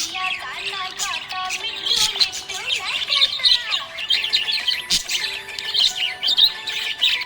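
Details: Happy budgerigar chirping: continuous warbling chatter of twittering, buzzy and squeaky notes with short whistled slides, steady throughout, with a few clicks.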